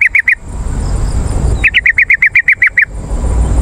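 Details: Yellow-vented bulbul lure call for drawing wild birds and prompting caged birds to answer. A brief three-note chatter, a pause, then a brisk evenly spaced run of about ten bright notes over background hiss.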